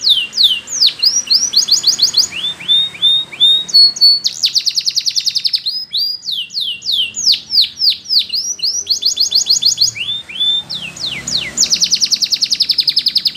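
A Spanish Timbrado canary sings a continuous, bright song of rapid rolling trills and sweeping whistled notes that shift from phrase to phrase every second or two.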